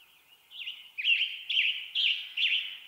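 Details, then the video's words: Western tanager singing in western North America: a series of four short, hoarse, burry phrases, each rising and falling, spaced about half a second apart, over a quiet background. "Western Tanager Bird Song"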